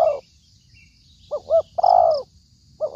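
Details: Spotted dove, used as a lure for trapping, giving low hollow coos: two short stuttered notes followed by a long falling coo, repeated; faint high ringing and chirps in the background.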